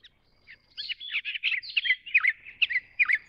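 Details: Grey-chinned minivet chattering: clustered, bright chirps with quick downward slurs, running together at first, then separating into sharper single notes roughly every half second.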